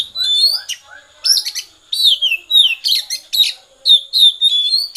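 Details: Oriental magpie-robin singing loud phrases of clear whistled notes mixed with harsh chattering bursts, short strophes broken by brief pauses, with faint softer notes between.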